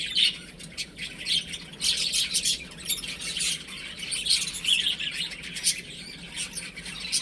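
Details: Baby chickens playing at home, a brood of chicks giving dense overlapping high chirps and peeps in bursts, with scratchy broadband rustling between the louder flurries.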